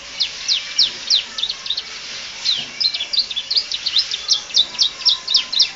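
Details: Domestic canary delivering a varied song meant for teaching other birds: rapid series of sharp, high, clipped notes in rhythmic bursts, some pauses between runs, over light steady background noise.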